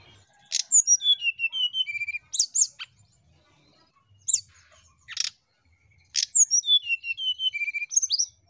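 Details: Brown-chested jungle flycatcher singing nyiul ngetrek, played as a lure to prompt birds that seldom sing. Two phrases of bright descending whistles, each about two seconds long, separated by scattered sharp clicks.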